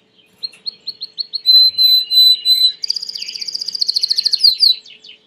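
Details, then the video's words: Belgian canary singing: a run of short rising chips, then long steady whistled notes, then a fast, very high buzzing trill that slows and fades at the end. "COMO FAZER SEU CANARIO CANTAR MUITO 20 MINUTOS DE CANTO"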